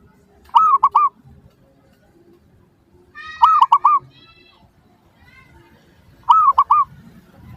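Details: Lure song of a zebra dove for prompting other doves to answer: three phrases, each three rounded cooing notes, spaced roughly every three seconds, with faint higher chirps after the middle phrase.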